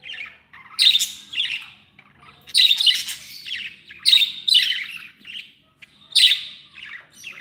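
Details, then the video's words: Budgerigars kept as pets and described as happy, giving repeated bursts of scratchy, buzzy chirps every second or so, with softer warbles between. "Happy budgies | Happy budgies sound"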